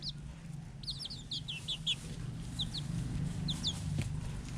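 Red junglefowl giving quick, high, down-slurred peeping notes in short bursts, several per second, over a steady low rumble.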